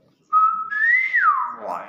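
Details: Nias hill myna giving its natural call: a single clear whistle held steady, then stepping up and sliding down in a smooth slurred curve, with a softer rough tail at the end.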